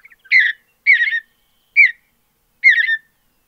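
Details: Mountain bluebird (Sialia currucoides) singing four short, soft, burry warbled phrases, spaced unevenly about a second apart, against a quiet background.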